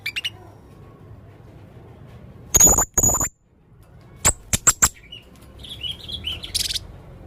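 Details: Male Blue-crowned hanging parrot in full voice, making odd sounds: a few sharp, thin, very high squeaks in two short clusters, each with a clicky broadband edge, separated by quiet gaps, and a soft twittering near the end.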